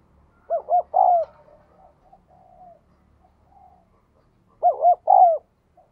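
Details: Spotted dove in the ringing giọng đồng kim style delivering two coo phrases four seconds apart, each two quick hooked notes then a longer arched coo, with faint distant cooing between.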